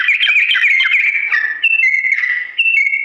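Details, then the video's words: Sooty-headed bulbul singing a drawn-out ropel phrase in slow tones, meant for tutoring young birds: a rapid warbled run opens, then long pure whistles alternate between lower and higher pitch. "TRUCUK GACOR ROPEL PANJANG NADA PELAN"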